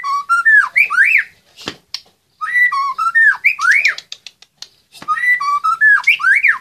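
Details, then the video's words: Songbird contest entry, a caged white-rumped shama (murai batu) from Magelang: loud whistled phrases of stepped notes ending in a sharply rising swoop, repeated three times with short pauses and a faint click between. "Lomba Burung Online Murai Batu"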